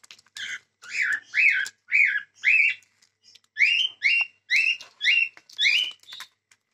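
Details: Cockatiels giving a series of short, sharp, arched whistled chirps, about two per second, with a brief pause midway before the chirping resumes at a similar steady pace.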